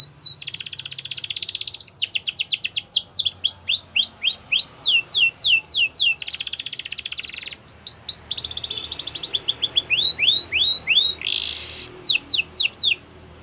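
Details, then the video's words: Training song of a canary, a continuous run of fast high rolls broken by strings of swooping downslurred notes and a harsher buzzy burst near the end, then a quiet close. "Canary's Most Powerful Song For Training"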